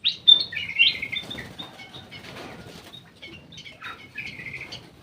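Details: Black-crested bulbul (cucak emas, kutilang emas) in an aviary: sharp whistled opening notes, then softer chattering warbles. Light rustling and fluttering throughout.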